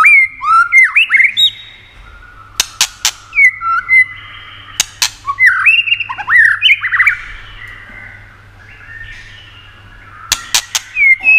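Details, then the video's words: White-rumped shama, sung with sharp clicks and played to excite other shamas: rich whistled phrases that rise and fall between swoops, broken by loud dry snapping clicks in bursts, with quieter pauses between phrases. "Âm Kích Thích Cực Nhạy.chòe lửa đập tạch kích bổi cực sung.kích chòe lửa yếu lửa.chòe lửa tạch đập"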